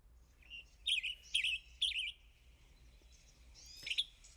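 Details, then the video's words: Western Tanager song, a whistled, robin-like song: three short, burry, hoarse phrases about half a second apart, rougher than a robin's, followed by a fainter higher note. "So you're hearing in the background now."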